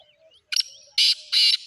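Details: Black francolin, known locally as titar: three loud, harsh, grating bursts in under a second and a half, the last two long and rasping, with faint thin chirps before them in a quiet background.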